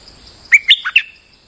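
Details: Bulbul used as a lure bird, singing while moulting: one quick phrase of four loud, sharp whistled notes, stepping between high and lower pitches, with a faint steady high hum behind.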